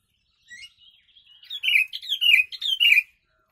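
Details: Trucuk (yellow-vented bulbul) song filled with kutilang phrases for training birds; soft twittering builds into four loud, slurred descending phrases, each sweeping down, delivered in quick succession and then stopping.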